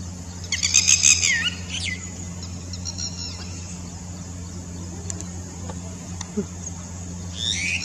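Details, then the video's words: A red-wattled lapwing gives its typical shrill "did you do it?" call, a short burst of piercing notes ending in a falling note; a fainter reply from a bird on the other side follows, over low hum and insect buzz. "Red-wattled Lapwing's typical call 'Did you do it?'"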